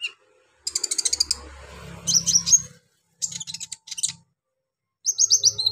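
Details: Brown-throated sunbird in energetic song, pouring out harsh phrases to raise the emotion of other sunbirds. Fast high ticking series alternate with buzzy, scratchy bursts and ends in a rapid run of shrill rising chirps over a faint low hum.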